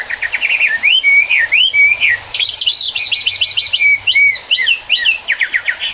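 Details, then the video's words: Chinese hwamei singing in the rain, rapid loud whistled phrases of looping and zigzag notes, with fast trilled bursts at the start and end. "Họa mi hót trong mưa"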